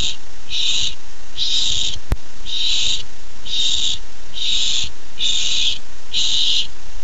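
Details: Barn owl chick, nest, July 13, 2015, keyed up for its first treat, repeats eight raspy screeches in quick succession, with a sharp click near the two-second mark.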